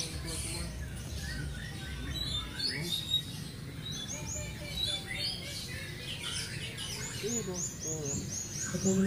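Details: A competition-placed F1 canary, close to moulting, sings a fast, dense run of high chirps and twittering trills over a steady low rumble, with a voice speaking briefly.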